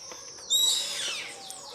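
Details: Yellow-headed caracara (Milvago chimachima), locally called carrapateiro, giving a single loud, shrill screech that slides steeply downward over about a second, with a steady high insect drone behind it.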